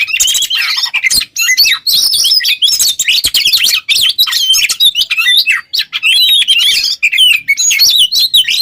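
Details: Oriental magpie-robin pouring out a fast, varied song intended to train other songbirds; crowded sequence of whistles, slurred notes and scratchy chirps with only tiny breaks.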